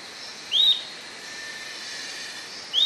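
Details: Atlantic royal flycatcher giving clear, thin upslurred whistles, one near the start and another over two seconds later, against constant high-pitched insect-like hiss.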